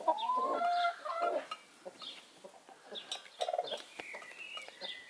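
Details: Broody Brahma hen off her nest for her daily break to eat, drink, empty her gut and clean her feathers, giving loud strained clucking calls at first, then softer scattered clucks and scratching sounds.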